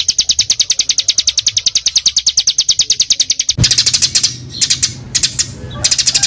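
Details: Dense, tightly packed song from a small bird, used to train caged birds: a long run of quick high notes about eight a second, then looser scattered chirps and a brief low hum.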